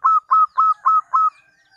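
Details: Local zebra dove song used as a lure for other doves: five short, evenly spaced, mellow coo notes on one pitch, about a quarter second apart, then quiet.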